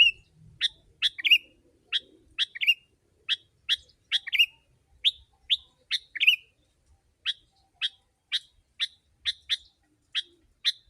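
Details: Sooty-headed bulbul, an energetic lively singer used as a lure for wild birds: short bright chirped notes repeated steadily about twice a second, some doubled into quick pairs, with a quiet low rumble beneath.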